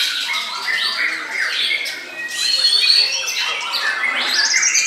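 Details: White-rumped shama song made of bright, rich whistles. Sweeping notes slide up and down, with squawky accents and a brief lull midway before loud phrases resume.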